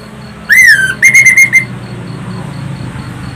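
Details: Orange-headed thrush song used as a lure to prompt other birds to sing; loud, shrill whistling: a slurred falling whistle, then a short run of quick bright whistled notes, with faint background hum.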